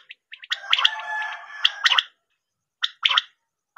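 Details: Quail call played for hunting: short bursts of harsh, gargling notes, then a drawn-out rasping phrase, then more clipped notes after a pause, in a clean, noise-free recording.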